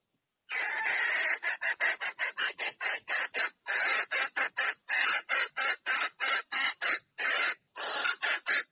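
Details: Red junglefowl hen summoning the male for mating, giving a steady, rapid run of harsh, broadband clucking pulses, about three per second, with short breaks and no background noise.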